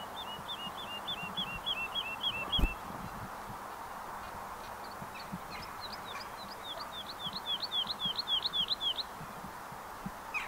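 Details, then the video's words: Woodlark song, a bird often heard singing high in the sky; two series of short repeated whistled notes, the first steady, the later series rising and quickening before fading, over a constant background hiss. "Lerka śpiew"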